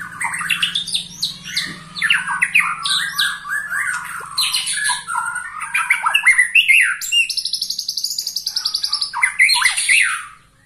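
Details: A 21-year-old white-rumped shama, a caged songbird, still singing forcefully: a dense run of rich whistled and harsh notes, with a rapid buzzy trill near the end, steady low hum behind.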